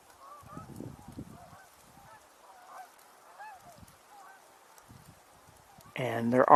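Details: On a December 13, 2025 walk near water with blue jays calling, distant tundra swans give soft, mellow hooting calls that overlap in a loose chorus; a man talks quietly, and a loud, harsh honk-like burst comes at the end.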